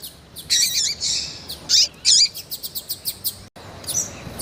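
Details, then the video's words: Female double-collared seedeater in heat, peeping and calling to excite a male, Brazil. Buzzy high chirps lead into a quick run of evenly spaced short ticks, then a brief pause and one more faint peep. "FÊMEA DE COLEIRO QUENTE CHAMANDO MUITO FOGOSA E PIANDO"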